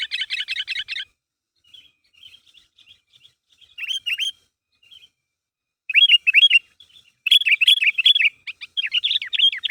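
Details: Sooty-headed bulbul calling to make others answer: a rapid burst of buzzy notes, soft scattered chips, then louder grouped, downward-curving whistled notes repeated toward the end.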